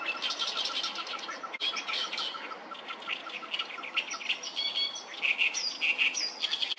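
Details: Oriental reed warblers singing in early June along the Sawatari River, where many birds were calling noisily. Harsh, chattering bursts and grating notes repeat rapidly, overlapping from several birds, with a few clearer whistled notes toward the end.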